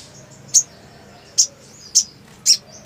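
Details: Black sunbird (Leptocoma aspasia) song: four thin, very high, sharp chip notes spaced about half a second to a second apart, over a faint hiss.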